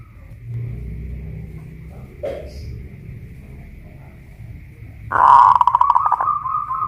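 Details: Local Pajajaran zebra dove from Kuningan, West Java, singing in a cage raised on a pole: a brief knock, then a loud, rolling coo phrase ending in a drawn-out tone, with low background hum.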